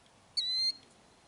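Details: Killdeer near its ground-scrape nest in Kananaskis, Alberta, Canada, defending eggs by faking injury to lure intruders away; a single loud, piercing, high, even-pitched note about a third of a second long, in a quiet setting.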